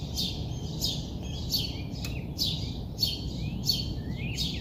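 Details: A bird calling in the early morning, short sharp downslurred chirps coming roughly every two-thirds of a second above constant low rumble.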